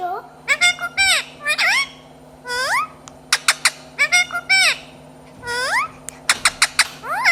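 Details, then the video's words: Talkative parrot giving repeated upward-sweeping harmonic calls and sharp clicks in irregular clusters over a faint steady hum. "Most beautiful talkative parrot"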